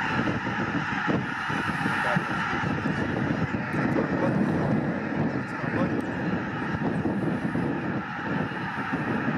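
Continuous broadband rumble of engines and aircraft with murmured voices, and no animal calls standing out.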